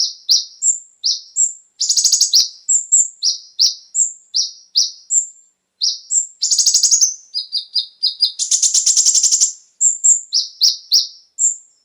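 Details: Konin, the brown-throated sunbird, in full song used as a lure for caged birds: a steady series of high, short falling notes with thin whistles, twice interrupted by dense, rapid, scratchy trills.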